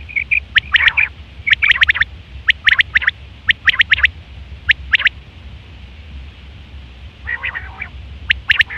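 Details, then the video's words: Common quail in September 2023 calling for a mate; short piping notes lead into repeated sharp triplet phrases, a pause, then a rasping buzzy call and a final clipped note. "Quail fresh sound sep 2023/ batair ki awaz"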